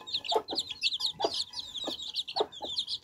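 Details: Baby chicks drinking fresh water, relaxed: high peeping chirps overlap throughout, with lower clucks or pecking notes roughly every half second.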